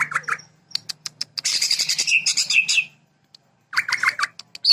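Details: Cucak ijo (greater green leafbird) delivering its sewing-machine (mesin jahit) fill: clipped high chips and rattling ticks run into a loud, dense, scratchy chatter of mixed notes, a short pause, then fuller whistled chirps and renewed ticking.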